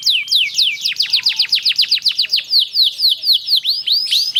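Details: Canary in a long rolling song played to trigger other canaries: a fast, even series of loud downslurred whistled notes, about four to five per second, lasting throughout.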